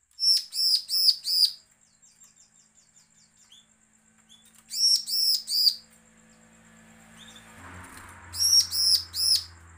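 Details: Bar-winged prinia giving a threatening call, used as a lure so other prinias call. Three bursts of four quick buzzy, arched notes are separated by quieter gaps, and rustling noise rises near the end.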